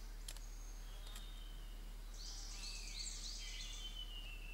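A drongo gives a quick burst of harsh, metallic, overlapping notes that slur downward, then a thin high whistle, over a steady low rumble.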